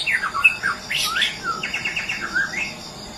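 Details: White-rumped shama from Medan, a caged songbird, delivering a quick mix of swooping whistles, sharp squawky notes and a rapid run of short repeated chips, then a final rising whistle.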